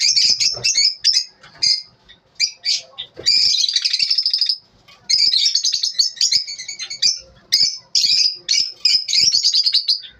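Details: Lovebirds in the morning calling in short bursts of shrill chirps, then longer stretches of rapid high chattering twitter separated by brief pauses.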